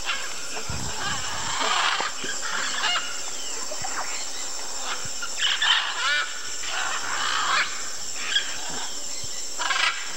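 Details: Three Blue-and-yellow Macaws, likely a pair with a chick, at the Chuncho Macaw Claylick on the Tambopata River, Peru: harsh, raspy squawks overlapping in loose bursts over a steady high insect whine and low background rumble.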